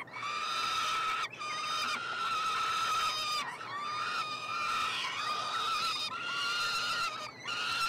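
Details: Peregrine falcon triplets begging while fed at a nestbox on the University of Montreal campus, Quebec, Canada, on 21 June 2022. Nearly unbroken rasping screams run level in pitch, pausing only twice.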